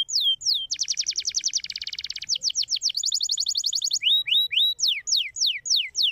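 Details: Canary song intended to get other canaries singing: a few falling whistles, a dense fast buzzy trill, a higher rapid rattle, then spaced rising and falling whistled notes.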